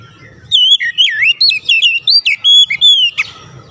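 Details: Oriental magpie-robin lure song to draw other magpie-robins into singing: a rapid chain of loud, wavy whistles with looping up-and-down slurs, about a dozen notes in two and a half seconds, between faint background murmur.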